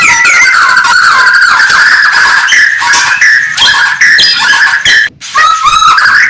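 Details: White-rumped shama (murai batu) in morning song, a sustained buzzy whistled tone with rich overtones, broken by brief higher flourishes and one short pause near the end.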